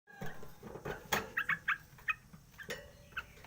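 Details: Sooty-headed bulbul in the morning, a caged bird singing once its cage cover is opened: a chattering run of short bubbly notes, several clustered in quick succession, with faint background hiss.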